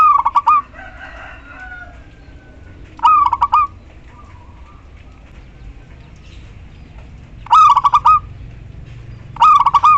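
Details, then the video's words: Female local zebra dove calling to a male, four stuttering coo phrases of clipped hoots closing on a longer note, with quiet warbled notes from another bird heard faintly between them. "perkutut lokal betina memanggil JANTAN"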